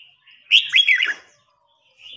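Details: Contest red-whiskered bulbul, an old wild-caught bird challenging a young one: a single loud, bubbling whistled phrase lasting under a second, with a faint note before and after.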